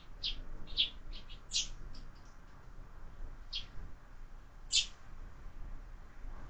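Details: At a feeder fixed to a window, sparrows and their growing number of fledglings give bright, clipped chirps, some doubled, spaced irregularly against a quiet indoor background.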